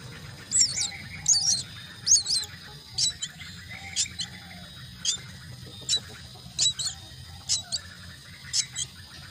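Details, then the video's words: Common myna chicks begging while being fed at the nest: about a dozen shrill, high, scratchy chirps in irregular bursts, some doubled, over a faint low hum. "Feed the myna chicks at nest"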